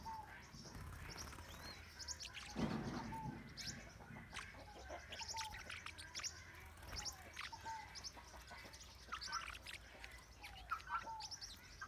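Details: Several Blue-winged parrotlets (Forpus xanthopterygius) in northern Bahia, Brazil, chatter in sharp high chirps at once, with a few lower whistled notes mixed in and a brief thump early on; flock calls.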